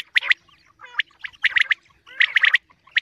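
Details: Common quail call, played for morning hunting: sharp clipped notes in quick groups of about three, repeated with short gaps, with some softer, rougher chatter between the groups.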